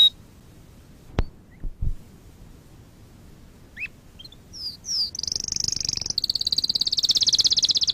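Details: A few scattered chips and clicks give way to canary song used in canary training: a couple of upswept whistles, then a dense, bright, sustained high trill lasting about three seconds.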